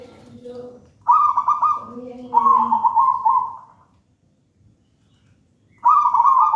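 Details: Zebra dove, a local wild-type bird from a banana plant nest, singing three bubbling, stuttered coo phrases, each about a second long, separated by short pauses and soft lower notes.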